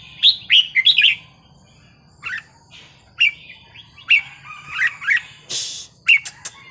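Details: Red-whiskered bulbul singing in the wild-style (pleng pa) manner, used to excite listening birds: short bright whistled phrases with quick rising and falling notes, given in bursts roughly every second, with one brief noisy rush near the end.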